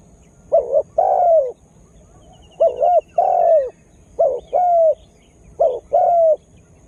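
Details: Spotted dove used as a lure bird to provoke wild birds, newly starting to call in earnest; three paired coos, each a short wavering note followed by a longer drawn-out, slightly falling note, repeated about every two seconds.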